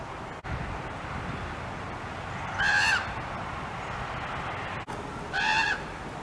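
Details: Juvenile common raven calling loudly to raven siblings nearby: two harsh, drawn-out scream-like calls about two and a half seconds apart, over a steady hiss of background noise.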